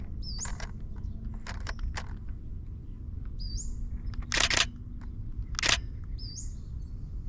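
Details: Pacific-slope Flycatcher in a tree by flowers, Tijuana River Valley, California, 2023, on a breezy morning: a high, thin, upslurred 'suweet' three times, about every three seconds, over a steady low rumble, with sharp camera-shutter clicks.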